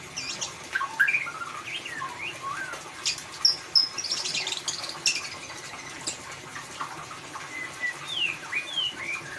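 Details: White-rumped shama song in the ngeriwik manner, used to stir a quiet bird to sing: varied bright whistles, short upslurs and high buzzy notes tumbling in irregular bursts, clean background.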